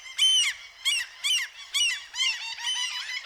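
Gulls give harsh, nasal squawks in quick bursts, about four loud cries and then a run of overlapping calls from several birds.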